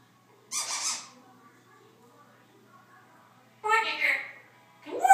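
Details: Pet Congo African grey parrot talking and making noises indoors. Two speech-like bursts, roughly a second each, are separated by a long silence. A short, sharp squeaky note follows at the end.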